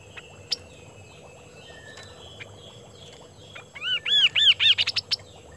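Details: Kaso-kaso bird singing in full voice: after faint distant whistles, a burst of loud arched whistled notes that quicken into a fast stuttering run of short rising chirps, then stop.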